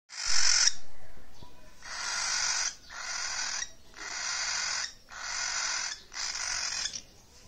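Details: A cockatiel meeting a baby cockatiel for the first time gives harsh, breathy hissing bursts, each under a second and repeated steadily.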